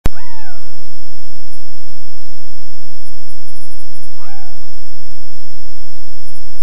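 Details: A Eurasian jay at RSPB Loch Garten, Scotland, gives unusual calls: two drawn-out, downward-slurring, cat-like mews about four seconds apart, over a steady low background hiss.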